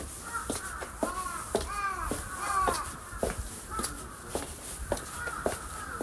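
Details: Many crows calling on 11 February along the path to the Inariyama summit at Fushimi Inari, Kyoto, Japan, where visitors called them scary; loud hoarse caws with arching harmonics, given every half second or so, overlapping, with people talking and footsteps.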